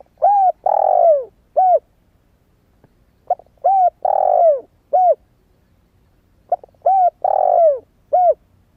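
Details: Decoy spotted dove, a newly calling young bird still in wild plumage, calling to lure wild doves: three repeated phrases, each of soft clipped notes, a coo, a long descending drawn coo and a short final coo, every three seconds.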